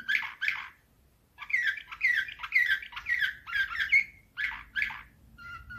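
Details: Canary, Slavujar nightingale-type song, 2024: two short chattering bursts, a pause, then a run of quick, evenly spaced buzzy whistled notes with slurred endings, ending in softer thin whistles.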